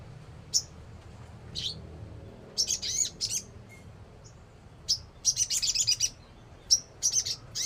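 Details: Crimson sunbird (sogon) singing. Very high, thin, sharp chirps come singly at first, then in fast clustered bursts of tinny notes. A steady low hum runs underneath.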